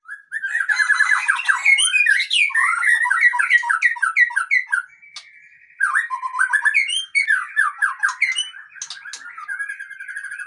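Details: Male white-rumped shama singing a rich, fast song of varied whistles, trills and rapid chattering notes, with a sustained steady whistle in the middle and a brief pause before a new burst of phrases.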